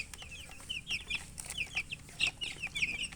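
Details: Poultry chicks crying for water: bright, high, falling peeps in quick clusters from more than one chick, with scattered clicks and a low room hum.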